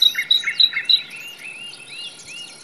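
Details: Common nightingale singing in a forest: a few loud, pure whistled notes repeated about every third of a second, then softer rising and falling slurred phrases fading out, with a steady high hiss behind.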